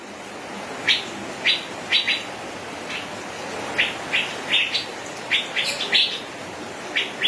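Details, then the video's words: Male Asian fairy-bluebird (cucak biru) singing in the gacor ropel style: short, sharp, upward-sweeping notes, often in quick pairs or triplets, spaced irregularly over a steady background hiss. "suara kicau burung cucak biru jantan gacor ropel"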